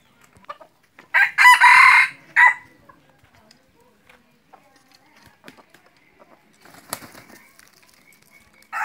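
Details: A red junglefowl (Gallus gallus) gives one loud, hoarse, clipped crow lasting about a second and a half, followed by quiet clicks and rustling, then another call begins.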